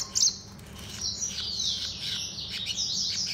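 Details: Mozambique serin crossed with canary: a sharp opening chirp, then a sustained high, rolling trill with buzzy slurred phrases, faint low hum beneath.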